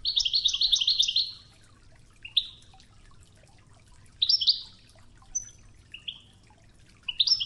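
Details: Oued-style goldfinch training song over flowing river water; it opens with a fast rolling trill, then scattered single chirps and a thin high whistle, with low water noise throughout.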